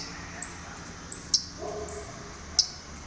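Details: Waterthrush, most likely Louisiana Waterthrush, one of two birds scooting oddly across a front yard in Talking Rock, Georgia, gives sharp, very high metallic chips, four in three seconds at uneven intervals, over a soft steady background hiss.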